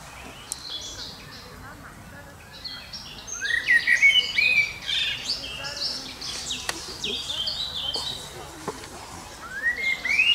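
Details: A common blackbird singing a long, varied phrase of warbled, mellow whistles mixed with high squeaky twitters, then starting another rising phrase near the end; a few faint clicks in the background.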